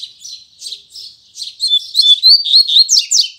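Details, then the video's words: Tui Tui Zel Zel song of a double-collared seedeater at morning: soft chattering notes swell into loud, fast whistled sweeps and sharp high slurs. "Coleiro Braddock Abrindo Canto Tui Tui Zel Zel Firme Pela Manhã"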